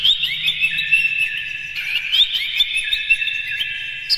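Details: Lure song of an Oriental magpie-robin, meant to stir other magpie-robins into singing: continuous rapid high chattering and whistled twists, with layered phrases running without pause and a faint low hum below.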